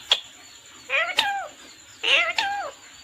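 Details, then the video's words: Two harmonic parrot calls about a second apart, each nasal and slightly falling at the end, with a sharp click within each call. "Natural Parrot sound//Parrot chirping sound"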